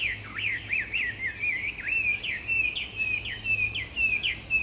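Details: Repeated zigzag whistles from a Chinese hwamei, about two per second, alternating rising and falling slurs, set against a continuous shrill insect drone.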